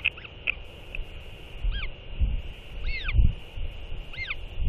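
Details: Northern royal albatrosses skycalling to one another after a chick feeding: a few short arched whistled notes, then three louder rising-falling harmonic calls spaced about a second apart, over steady wind rush and low thumps.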